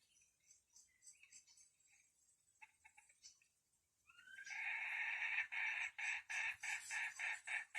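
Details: Red junglefowl during decoy luring: faint scattered notes, then a loud run of strong, harmonic, evenly pulsed calls, about three or four per second, with a steady high insect hum behind.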